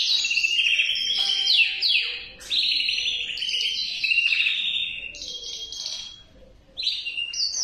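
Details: Male canary song made of rolling trills and downward-sweeping whistles in quick succession, with a brief quiet gap before a final burst of rapid high trilling.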